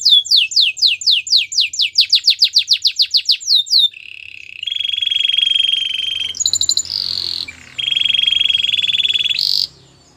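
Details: Canary song for training canaries: a quick series of steep falling whistled notes, then long sustained rolling trills at a steady pitch, broken by a short higher burst.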